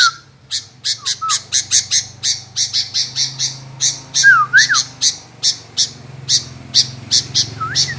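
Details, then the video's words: Sooty-headed bulbul calling nonstop, answering again and again: short slurred whistles rise and fall, set against rapid, evenly spaced harsh chirps, about three per second, throughout. "Tak Mau Diam Nyaut Terus Burung Kutilang"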